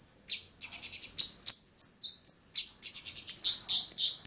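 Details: Long-tailed shrike, Bobotsari: a rapid, high-pitched chatter of short notes, several per second, with a few clear whistles partway through, then harsher, louder notes toward the end.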